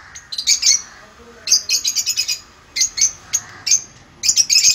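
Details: A pair of 10-month-old sun conures gives harsh, raspy chattering calls in quick bursts, broken by brief pauses.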